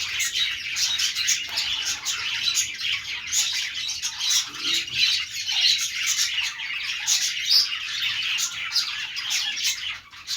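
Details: Parakeet chorus of budgerigars: rapid overlapping chirps, warbles and harsh squawks forming constant busy chatter, with a few sharper whistled notes mid-way and fading slightly at the close.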